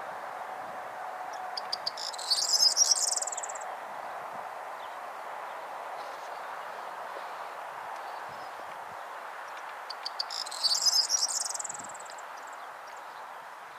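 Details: A male corn bunting sings in full song at Marshfield, South Gloucestershire, England, on 5 June 2014, its last local stronghold: a brief, high jangling phrase given twice, like a rattled bunch of keys.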